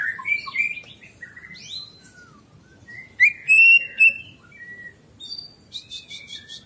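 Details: Greater green leafbird song used to train pet birds: scattered whistled phrases, rising and falling slurs, a loud clear whistle mid-way and a short rapid buzzy trill near the end.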